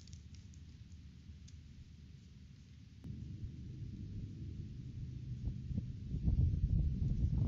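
Low rumbling noise that grows louder toward the end, with scattered clicks and knocks and no animal voice.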